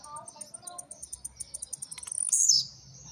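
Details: Blue-black grassquit kept at home, coming out of moult, singing in the trincadeira style with speed: a run of high ticks that speed up, then a loud, buzzy, high note that jumps up and slides down, about 2.3 seconds in.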